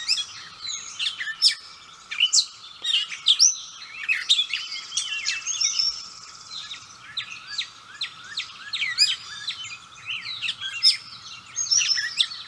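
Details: Gray catbird singing its heart out, recorded up close while unbothered by the observer; a long, jumbled run of varied squeaky, scratchy and slurred notes, some sharp and high, delivered in quick irregular bursts over a low hum.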